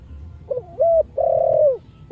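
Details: Single phrase from a spotted dove with a Thổ Sấm voice, played to stimulate other doves: a faint double note, a short coo, then a long steady coo that slides down at its end, with a final note beginning.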